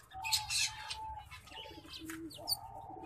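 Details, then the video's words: Hybrid of green singing finch and black-throated canary giving quick bright chirps and a rapid twitter, then a long even whistled note and a few high clipped notes, with a soft low hum underneath. "Green Singing Finch x Black-throated Canary (mozambik x blacktroath)"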